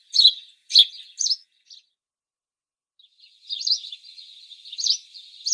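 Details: City-dwelling house sparrow chirping: three emphatic chirps in quick succession, a brief pause, then a run of softer, lower-key twittering broken by further sharp chirps.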